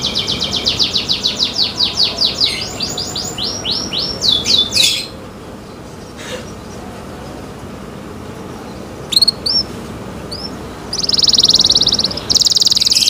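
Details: Canary in cenkok-style song: rapid high descending sweeps for about five seconds, then a quiet gap with a few short chirps, ending with dense high buzzy trills.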